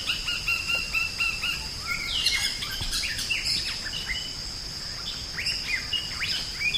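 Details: Drongo (sri gunting) song used as a master recording for training songbirds: a lively run of varied clear whistles, short rising and falling notes and quick slurred phrases, over a steady high insect drone.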